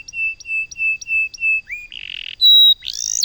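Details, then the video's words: Canary in loper style, singing vigorously: five even, clear whistled notes at a steady pace, then a rising slur, a harsh buzzy burst, a pure high whistle and a final rising buzzy phrase. "Kenari loper gacor"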